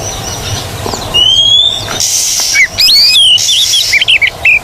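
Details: Oriental magpie-robin training recording, meant to get birds that have stopped singing to sing again: clear rising whistles and quick whistled twists, cut by bursts of loud, harsh hissing buzz and faint background murmur.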